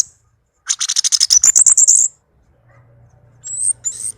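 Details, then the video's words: Tame caged orange-headed thrush delivering a fast rattling run of very high, sharp repeated notes, then a faint low hum and two thin rising whistles. "Anis merah kicau merdu"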